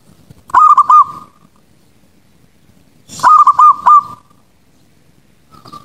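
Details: Zebra dove calling at night to train untrained young birds: two well-separated phrases of four quick, identical cooing notes on one pitch, about three seconds apart, then a faint short note, in otherwise quiet surroundings.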